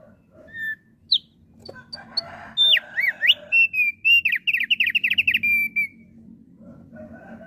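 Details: Thick-billed heleia singing energetically, a recording for luring wild bird flocks. Scattered thin notes lead into a swooping whistled phrase and then a fast, steady series of high bright notes lasting about three seconds, over a soft low background hum.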